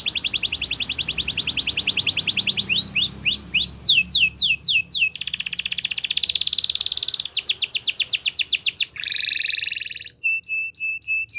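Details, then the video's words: Belgian canary singing as a teaching song for young canaries, a varied sequence of rapid trilled tours: fast buzzy rolls, upswept whistles, a dense high trill and a clipped steady-pitched series of notes. "Canary Teacher To Train Your Canary!! Belgian Canaries Sing Melodiously"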